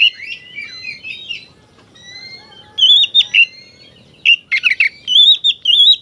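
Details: Kacer, the oriental magpie-robin, singing hard to provoke rivals: soft warbled whistles at first, then loud bursts of clear wavering whistles and a harsh scratchy note, separated by short pauses.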